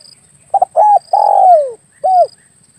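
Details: Spotted dove (tekukur, derkukur) lure call used to attract doves when hunting with an air rifle: a short stuttered coo, then a long falling mellow coo and a final short coo, with faint high insect-like buzzing in the background.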